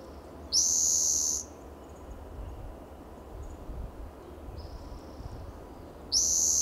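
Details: Spotted Towhee singing while perched in the shade of a lichen-covered coast live oak in Del Monte Forest, California, on a June morning in coastal habitat; a high buzzy trill about one second long, repeated after a pause, over low rumbling background noise.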